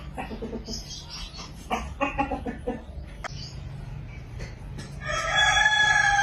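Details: Hen in a village giving a run of short, rapid clucks, followed by a sustained harmonic, whining sound near the end.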